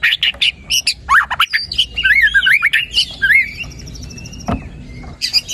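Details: White-rumped shama song used to stimulate a quiet bird to sing: loud, varied phrases of fast whistled slurs, rising and falling notes and sharp chips, ending with a long thin held whistle and a clap-like click.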